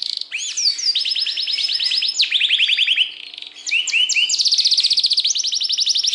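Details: Yorkshire canary singing: rapid rolling trills of rising and falling whistled notes, many repeated units per second, with a brief softer break mid-phrase before another long, fast trill. The song is clean and close.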